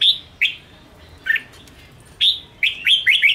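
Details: Red-whiskered bulbul in Ché style, played to provoke and train caged bulbuls: short bright whistled phrases with quick downslurred notes, separated by pauses of about a second, ending in a rapid run of several chirps.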